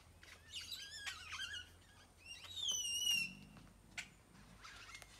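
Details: Mixed birdsong from a tropical tree in Nayarit, Mexico: high twittering chirps, then a loud rapid trill with falling whistled notes, and a few sharp single chirps near the end over a faint low hum.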